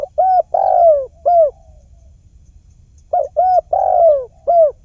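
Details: Cooing of a spotted dove, played as a trapping lure: two identical phrases, each a short coo, a quick coo, a drawn-out descending rolling note and a clipped closing coo, separated by about two seconds of quiet.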